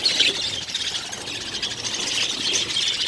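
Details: Several colourful budgerigar chicks together in one nest within a breeding colony, giving a continuous raspy, high-pitched squeaking chatter that swells and fades slightly without pause over about three seconds, with no other clear sounds.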